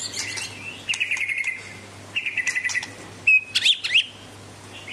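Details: A Medan white-rumped shama delivers rapid stuttering trills and buzzy rattles, then bright whistled notes and quick upward-sweeping chirps near the end, over a faint constant hum.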